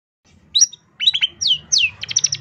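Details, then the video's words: Varied song of a long-tailed shrike, recorded as a training master for songbirds: a sharp high note, a few buzzy chips, two clear downslurred whistles, then a fast trill of high notes. "MASTERAN CENDET TERBAIK SEPANJANG MASA FULL TEMBAKAN MATERI ISTIMEWA"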